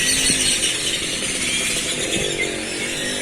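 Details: A dense, unbroken chorus of many grackles gathered in a village central square in Celestún, coastal Mexico: shrill squeaks, whistles and rasping creaks overlapping into a constant metallic din, with faint human voices low beneath.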